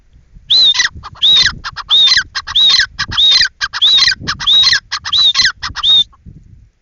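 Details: Teetar, the grey francolin, calling in a fast loud series of shrill rising-then-falling notes with harsh overtones, roughly ten calls in six seconds, steady and rhythmic.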